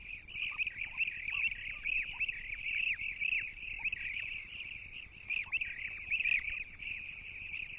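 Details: Demoiselle cranes in the Korchay reserve, Goranboy district, western Azerbaijan, in April 2015, call as a flock: continuous overlapping rolling croaks and trills. Green bee-eaters (Merops persicus) call in the background, and a steady high hiss is present.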